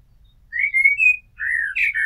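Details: Loud, clear blackbird song: a drawn-out mellow whistled phrase, a brief pause, then a lower warbling flute-like phrase with a squeaky high note at the end.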